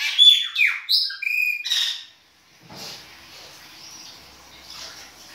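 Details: Chopi blackbird singing its winter song in the baianinho style: a two-second burst of loud, varied whistles and harsh, chattering notes, followed by quiet background hiss.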